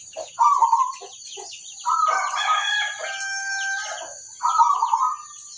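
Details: Zebra dove, local type, singing to draw replies from other zebra doves: a burst of rolling coos, then a longer run of layered, warbling notes, and a final rolling coo, over a thin constant high whine.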